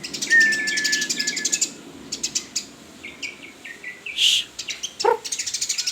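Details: White-rumped shama singing fast series of high chips and a thin level whistle, then descending slurred notes, a burst of rushing noise and a closing run of quick chirps.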